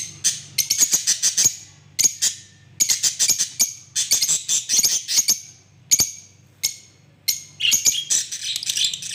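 Lovebirds chatter in rapid bursts of shrill, high, metallic chirps, with brief pauses between volleys and several birds overlapping.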